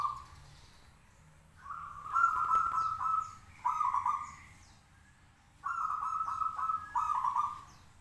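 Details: Caged local zebra dove singing keenly while hung up, provoking other doves to answer: three bursts of throaty, trilling cooing, each made of pulsed notes, separated by quiet gaps, faint chirps of other birds overhead.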